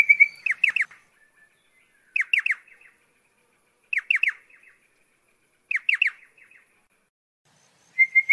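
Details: Pardalote gives a clipped triple note about every two seconds, each cluster of sharp descending notes trailing into softer notes, and a clear steady note at the start and end.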